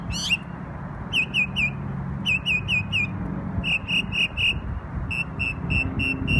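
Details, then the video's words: A bird singing in New York on Memorial Day: clear, high whistled notes delivered in quick groups of three or four, each group separated by short pauses, over a low rumble of traffic. "NY Bird Sings Beautiful Songs"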